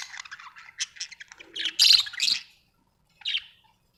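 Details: Home-kept budgerigars warble in a dense run of scratchy chirps building to a loud harsh burst, then one short call after a pause.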